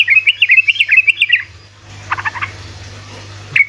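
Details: Sooty-headed bulbul, ropelan-style song used as a lure for reluctant singers: a tight burst of about twelve rapid bubbly chirps, a pause with soft rustling notes, then a single sharp chirp at the end; low hum present.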